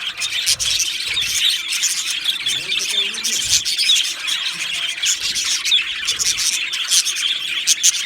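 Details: Two male Australian budgerigars chirping: a continuous, dense, high-pitched chatter of rapid twittering and warbling notes with scattered sharp squeaks, steady throughout.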